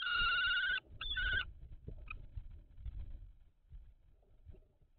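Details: Common kestrel pair at a nest box, 17 May 2023, during a food transfer of mice. The clip opens with two loud, strained whining calls in quick succession, followed by rustling, scraping and a few faint chips.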